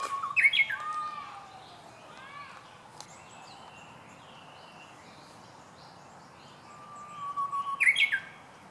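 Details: Japanese bush warbler (Horornis diphone), first song of the season, 19 March 2016, singing twice: a long, level whistled note then a quick, explosive rising flourish; softer chirps from other small birds fill the gap between phrases.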